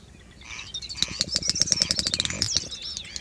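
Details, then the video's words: A Great Snipe lekking at night: a rapid burst of dry clicks, about ten a second, woven with a high, bubbling twitter, rising then fading over two seconds. "Ток Дупеля"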